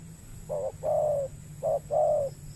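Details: Spotted dove calling in the wild on peat ground in Riau Islands, Indonesia, drawn by a trapping lure bird; two clear pairs of coos, each a brief note then a longer slightly falling one, over low background hum.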